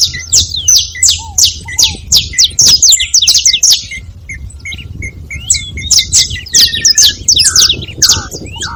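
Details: Saffron finches calling as a group, a long run of rapid, bright, high chirps overlapping continuously, with brief lower notes and quiet background rumble.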